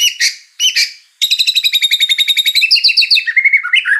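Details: Magpie-robin song, 2021 training recording: two brief harsh chirps, then a fast, even trill of high buzzy notes sliding into lower, descending whistled phrases.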